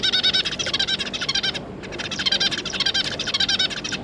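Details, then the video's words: Zebra finch family, a pair and three juveniles, 9 June 2022: a fast, dense stream of short buzzy, nasal notes in two bursts separated by a brief pause. "Zebra Finch"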